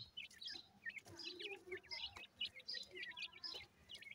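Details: Grey francolin chicks calling: short high chirps, some rising and some falling, come about twice a second over a soft low murmur, with a few faint clicks between them.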